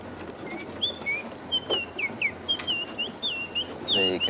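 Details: Bearded scrub robin call played back from a phone, a lovely, subtle, lilting call from a bird that mimics other birds: short high whistled notes, some rising and some falling, in quick succession, ending with a brief louder rasping burst.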